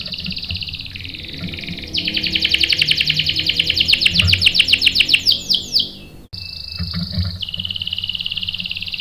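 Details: Canary singing, recorded as a lure to stir a male into replying with long rolling song: high whistled notes, then a fast rhythmic trill that speeds up and slides downward, pauses briefly and resumes, with faint low room noise beneath.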